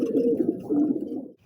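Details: Rare coloured fancy pigeons kept by pigeon hobbyists, indoors. A low, throaty cooing rolls in two swelling phrases over about 1.3 seconds, then fades to quiet.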